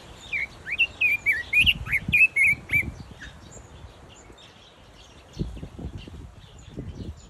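Red-billed leiothrix giving a quick run of bright, warbled whistles for about three seconds, then quieter chirps, with low thumps and rustling underneath.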